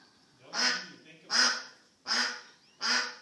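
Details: Four strident, nasal quacks from a lost duck, evenly repeated about every three quarters of a second.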